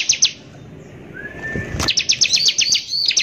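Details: Bar-winged prinia singing as a lure to anger rival prinias: a few sharp notes, a quiet stretch with a thin rising whistle, then a quick burst of high trilled and looping notes.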